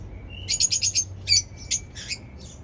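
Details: A lovebird chirps in a fast stuttering series of high, bright notes, followed by a few sparser, scratchy chirps trailing off near the end.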